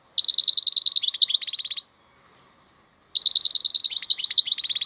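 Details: Maknine, the European goldfinch, giving a khalwi-style song: two fast, glittering twittered phrases of about eighteen clipped notes each, separated by a second of silence.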